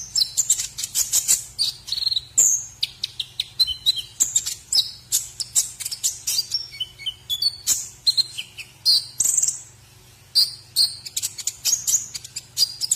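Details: White-rumped shama song used as a masteran training recording for other birds: a fast, varied run of high, sharp chirps, whistles and short rattles packed closely together, with a short pause near the end, over a faint steady low hum.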